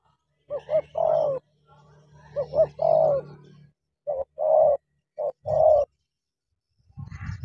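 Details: Spotted dove acting as decoy against a wild rival it wants to fight: quick double notes leading into a long coo, the phrase repeated several times, with a low hum and a few soft knocks at the end.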